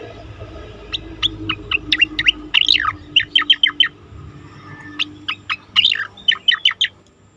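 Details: Asian pied starling, training recording for competition birds: lively series of sharp chips and short whistles, some rapid clusters and a slurred warble, over faint background noise.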